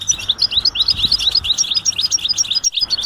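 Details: European goldfinch 'betbeta' mating calls to spur males to sing; brisk, liquid high twitter, many quick chirps per second in an unbroken, slightly irregular run.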